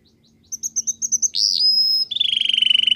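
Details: Canary singing a training song: a run of quick repeated high chirps, then a slurred swelling note, a long steady whistle, and a fast trill of rapid pulsed notes.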